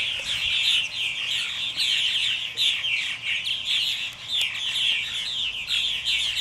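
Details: A flock of purple martins returning home at dusk chatters nonstop, with overlapping gurgling chirps and rolling twitters in a steady high chorus that barely pauses.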